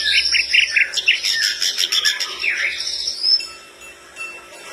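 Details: Flycatcher in lively song, said to make other birds answer: a fast sequence of high chirps and whistled notes in quick succession, then a descending slurred phrase, fading into quieter background hum.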